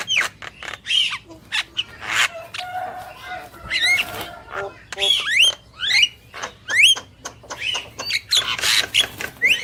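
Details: Male and female Javan mynas in lively full song: a busy run of harsh squawks, clicks and sharp rising whistled notes, packed closely with brief pauses and no other clear sounds.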